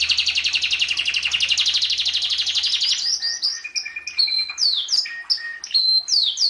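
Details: Canary in a songbird training recording: a dense, buzzy rolling trill for three seconds, followed by varied clear whistles and swooping notes.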